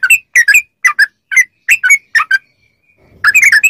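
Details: Yellow-vented bulbul song meant to make captive bulbuls respond: double whistled chirps rising then falling, spaced evenly, a short faint pause, then a fast, busy flurry of notes.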